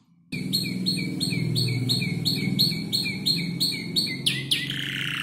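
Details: Young canary around five months old arranging mimicked songs from tutor birds including ciblek and prenjak lumut; rhythmic repeated sharp chirps over a steady low background rumble, ending with two sliding downward whistles.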